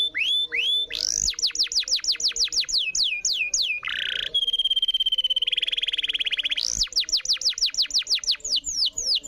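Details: Canary lure song: fast series of falling whistled sweeps, then a buzzy phrase and a long, steady, rapid trill. The falling sweeps then resume at a quick, regular pace.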